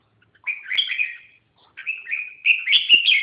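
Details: Red-whiskered bulbul singing two bright warbled whistled phrases of about a second each, rising and falling, separated by a brief pause; no other sounds.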